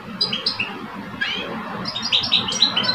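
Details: Two caged male European goldfinches in a song contest, one mature and one aged two. Brief liquid twitters and clear chirps come quickly in a loose sequence over a low background hum.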